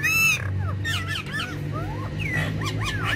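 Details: Several parrots of a talking parrot family frolic together on a woven charpai, giving a loud buzzy squawk, then a string of arched, slurred whistles and chirps that rise and drop, with a low background rumble.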